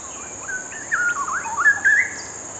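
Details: Two perched Straw-headed Bulbuls joining in a brief rhythmic duet, one pausing from preening to sing; fluty, gurgling whistles tumbling and rising in a quick melodious burst, with a thin steady hiss in the background.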